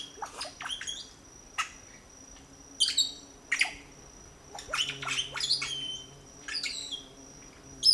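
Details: At a red-bellied grackle nest in Sabaneta, Antioquia, Colombia, three chicks being fed in 2012 give clustered high chirps and raspy squawks in irregular bursts, with a low steady hum and high whine underneath.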